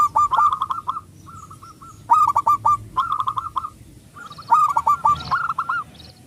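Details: Zebra dove, a loud local bird used to stir other doves to sing: runs of rapid cooing notes, some slower single coos between bursts, with scattered sharp clicks and a faint higher chirp near the end.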